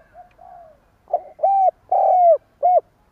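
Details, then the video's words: Decoy spotted dove repeating its stammering coo to excite wild birds. A soft low murmur leads into three strong coos, a short one, a long drawn one falling at the end, and a clipped final note. "Tiếng chim cu gáy gù cà lăm gáy thúc gù kích bổi"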